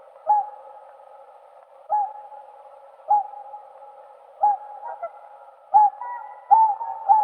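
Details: Whooper swan: a level, sustained nasal hum broken by sharp honks repeating every second or so, with several birds joining near the end.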